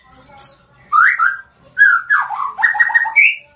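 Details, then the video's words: Short burst from a blorok white-rumped shama: rich, fluty whistles rising and falling in three close phrases, the last climbing to a higher note. "KICAU MANIA Murai batu blorok"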